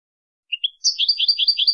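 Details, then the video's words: Goldfinch song for teaching, two short rising notes then a quick run of high warbling, twittering phrases on a quiet background. "تعليم الحسون أفضل تغريد في العالم بدون أخطاء"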